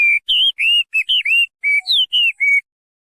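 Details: Chinese hwamei producing a series of about ten clear, pure whistled notes, some flat and some slurred downward, delivered rapidly against a silent background.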